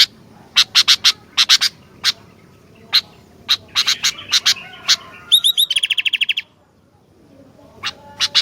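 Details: Sooty-headed bulbul, vocally active, repeats sharp dry ticking notes for several seconds before a fast burst of ringing hooked notes, then quiet and a few final ticks.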